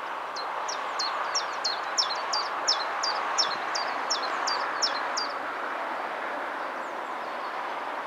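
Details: Common chiffchaff song: a steady series of about fifteen bright, high, clipped notes, roughly three a second, lasting five seconds, then silence apart from a faint note, against a continuous broad background hiss.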